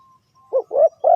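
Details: Spotted dove coo used to draw birds into a trap, a brief cut-off fragment of low hollow notes, the last coo ending abruptly.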